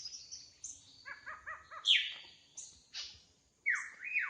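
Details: Wild drongo in full voice: high thin notes, then a short run of four quick, evenly spaced chevron-shaped notes, followed by loud descending swoops and two rising-falling whistles at the end.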